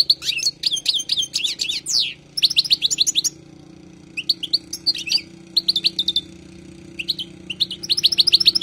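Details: Song of a wild European goldfinch for tutoring, quick sparkling twitters and slurred chirps in short phrases with brief pauses, over a faint low hum.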